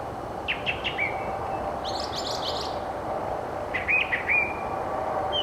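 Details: A Brown Thrasher singing in spring near a meadow ridgeline trail at Carpenter Nature Center: loud, bright, seemingly endless phrases of chirpy notes in quick twos and threes, each phrase changing, over a steady low rushing background.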